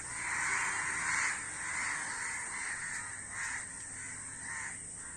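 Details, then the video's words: Many crows cawing loudly together, coarse harsh calls strongest at the start, then fading into scattered overlapping caws over steady hiss. "অনেক কাক Crow Bird's Video | কাকের ভিডিও ও কাকের ডাক।"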